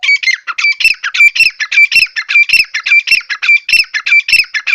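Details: Quail (batair) kept by bird lovers in Pakistan, whose kirk call is valued in competitions. Loud, rapid, rasping squawks repeated nearly twice a second without pause, harsh and close.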